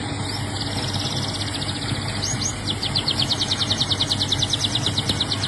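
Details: Canary singing rapid trills of short repeated high notes, several fast series changing pace and pitch, with a steady low hum in the background.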